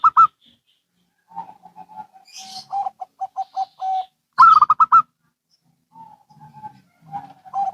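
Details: Zebra doves of local and Bangkok types calling back and forth, used for luring and tutoring other doves; loud bursts of quick, higher rolling coos alternate with lower, steady staccato coo series, separated by short pauses.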